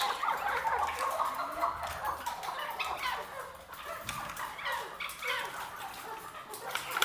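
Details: A pure Maskati Chukar partridge calls with dense, overlapping, harsh chattering notes that run on without a break.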